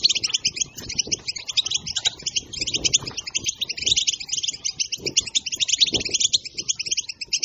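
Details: Goldfinch pouring out rapid 'batbata' twittering meant to excite other goldfinches; high, bright chattering notes and short buzzes follow each other without pause for the whole stretch, over a soft low background hum.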